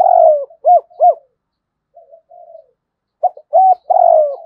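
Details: Low, hollow cooing from a spotted dove used as a decoy, long falling coos and short rounded hoots, with soft murmured notes between two phrases.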